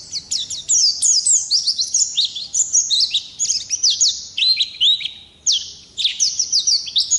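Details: A forest-caught Oriental white-eye delivers a continuous high twittering song, quick clusters of thin slurred whistles dipping and rising, with a short gap near the middle before the rapid chatter resumes.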